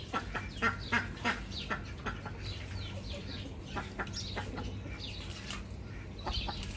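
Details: Several ducks quacking in short, harsh, rapid bursts, overlapping and irregular, some louder calls standing out, with a steady low hum underneath throughout.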